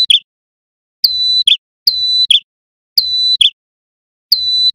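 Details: Male Sunda warbler singing loudly, used as lure audio for wild small birds: a high, steady whistled note ending in a quick lower flourish, repeated about once a second with clean silence between.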